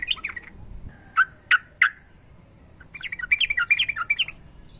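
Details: Yellow-vented bulbul, fighter type, with a female calling the male, singing in long ropel style as a training master. A brief chatter opens, three loud sharp clipped notes follow, then a quick bubbly jumble of phrases.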